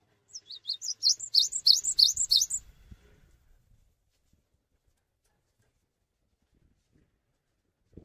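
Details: Persistently singing cinereous tit inviting other tits to sing along, giving a rapid, even series of about a dozen piercing high notes for two and a half seconds, then near silence with faint low rustling.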